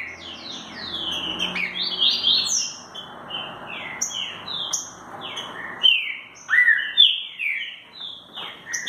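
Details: Green-winged saltator in "mansarrão" song style, a continuous stream of bright downslurred whistles and quick chirps, phrases tumbling one into the next for several seconds over faint background noise.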